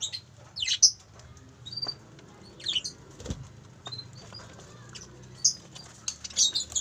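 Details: Parent parakeets, two pairs in captivity at a bird farm, calling in sparse short raspy bursts and squeaks scattered over a quiet background, with a faint low thump midway.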